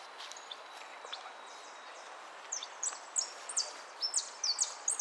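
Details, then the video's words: European goldfinch competing in a singing contest, repique style. Mostly faint rustling at first, then a run of high, clipped, downslurred notes repeated rapidly in the second half, growing clearer and more regular. "amarillo de repique"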